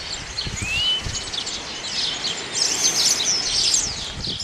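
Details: Male house sparrow chirping in high, dense chatter, with a single clear rising whistle near the start and faint rustling beneath.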